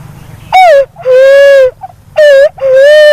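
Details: Walik haji or walik kembang (black-naped fruit dove) calling with four clean, drawn-out hoots, each beginning with a short upward slur and leveling into a steady mellow tone, separated by brief pauses.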